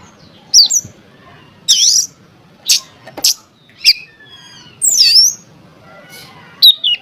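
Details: Oriental magpie-robin lure song meant to stir rival magpie-robins to sing: harsh scratchy squawks alternate with high, wavering whistled phrases, spaced by short pauses, about eighteen phrases a minute.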